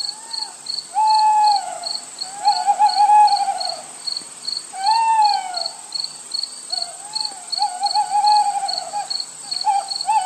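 Little Owl giving drawn-out, mewing, slightly wavering calls, about one every two seconds, over a steady fast ticking chorus of crickets.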